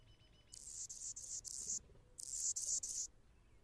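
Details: Anna's hummingbird singing from a branch: two bursts of high, scratchy buzzing notes, each made of several quick stuttered pulses, separated by a short pause, in a quiet setting.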